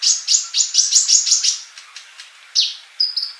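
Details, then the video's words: Sunbird from a master recording for training birds: a fast even string of high chirps, about three per second, then a pause and a few sharp downslurred and whistled notes. "MASTERAN UNTUK BURUNG COLIBRI GACOR"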